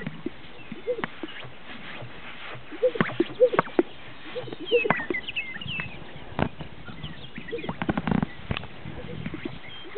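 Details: Several greater sage-grouse display at a lek in northern Utah, making scattered popping snaps and short low gulping notes, denser in the middle and near the end, while distant birds twitter faintly.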